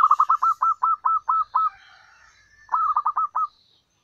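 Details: Wild local zebra dove, used as a lure, a female calling males: a fast run of about ten clipped mid-pitched cooing notes, a short pause, then a quicker burst of about six, with faint high chirps behind.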